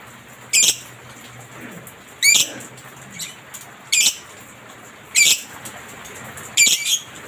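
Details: Lovebird on a masteran training recording meant to get pet lovebirds singing: short, harsh, high squawking bursts arrive about every one and a half seconds, with faint softer notes in between over a quiet, steady background hiss.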